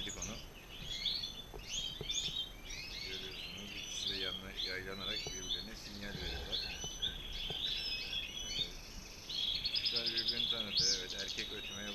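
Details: A paired male and female European goldfinch deliver dense, rapid twittering and tinkling phrases almost without pause, with a person talking quietly underneath.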